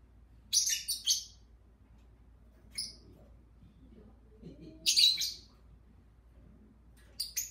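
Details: Pet lovebirds, two kept together, chirping while their owner talks to them: short bursts of high shrill chirps, a few seconds apart, with faint speech and room hum.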